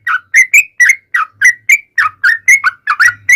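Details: Yellow-vented bulbul singing in a lure recording meant to make bulbuls answer; about a dozen short warbling whistled notes in quick succession, alternating slightly higher and lower pitches with brief gaps.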